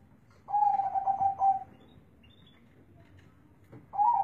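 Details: A zebra dove with a big bass voice sings one full phrase: a rising coo, then a rolling run of rapid pulses that ends in a longer closing note. A second phrase starts at the end.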